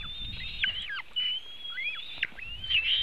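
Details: During a feeding of eaglets at a Latvian white-tailed eagle nest, 24 June 2018, 3:23 pm, on webcam: a steady stream of piercing high whistles, long flat tones broken by steep falling slurs, light low background rustle.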